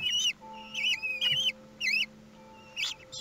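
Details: Common kestrels on the nest at feeding time, Théding, France, 2 June 2020, filmed by webcam: four short wavering whistled bursts about half a second apart, over a steady electrical hum.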